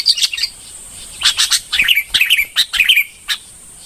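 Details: Red-whiskered bulbul song: quick clusters of sharp chirps and slurred whistled notes in short bursts separated by near-silent gaps, with a faint continuous high whine behind.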